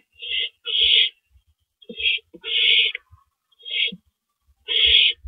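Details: At night in April 2012, a male owl delivers a rabbit to the nest. Six hoarse, hissing screeches of varying length tumble out irregularly, mixed with a few short low knocks.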